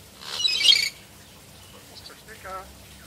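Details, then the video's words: A caged talking common hill myna at a beach resort on a southern Thai island mimics speech ("Hello", "Mister Speaker"): a loud, harsh, hissing burst, then after a pause a softer, nasal voiced fragment. "Hello Mister Speaker (Talking Hill Myna)"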